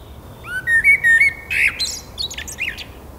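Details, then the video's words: A common blackbird sings a mellow, fluty warbled phrase that rises and wavers, then ends in a thin, high squeaky twitter over a faint low rumble. "Vogelkonzert Amsel, Nachtigall und Kuckuck Concert of birds blackbird,nightingale and cuckoo"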